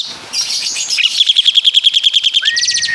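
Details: Asian pied starling from Java singing with imitations of caladi and kapas tembak: a chirpy burst, then a fast train of bright repeated notes about six per second, ending in a short upslurred whistle with buzzy notes above.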